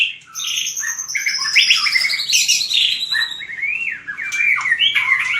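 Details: Shama fighting song (hót đấu) for training a white-rumped shama's voice: continuous high whistles with long sustained notes, rising slurs and dense, tumbling warbles.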